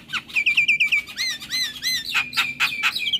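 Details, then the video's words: Javan myna with yellow eyes, a varied tutoring song for young birds: rapid repeated bright chirps tumbling into arched, rising-falling notes, then loud broad chattering bursts, all high-pitched. "Masteran Jalak Kebo Mata Kun ing Isian Mewah | Masteran Dan Pancingan Burung Jalak Muda"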